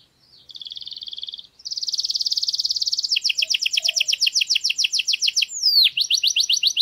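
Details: Canary song in a garden, opening with a buzzy trill, then a louder continuous rattle and long run of rapid chirps, a sweeping falling whistle and further quick repeated notes.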